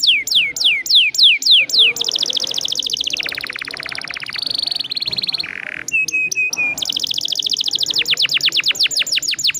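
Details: Long rolling song of an Atlantic canary (kenari): repeated falling whistles, fast buzzy trills dropping in pitch, a short low note, sharp high chips, then more descending swept notes.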